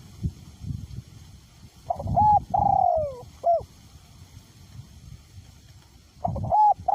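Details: Decoy spotted dove calling through strong wind with a small-to-medium voice. One full coo phrase, a rising clipped note, a steady tone, then a long downward-sliding coo and a short hooked ending, with another phrase starting at the close over wind roar.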